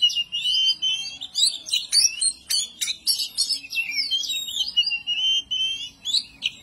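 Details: Oriental magpie-robin, kacer, singing in the agitated ngobra style meant to provoke rivals: a dense run of whistled, slurred notes mixed with sharp harsh bursts, loud and continuous with brief gaps between phrases.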